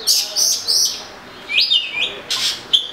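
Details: Oriental magpie-robin giving a few loud whistled notes, including rising slurred whistles and short harsh bursts, over background hiss.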